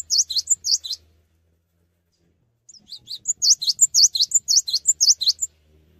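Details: Cinereous tit (gelatik batu) singing actively without hopping about: bursts of high, sharp two-part chirps repeated quickly in a lively series, a short run, a pause of nearly two seconds, then a longer run of bright notes.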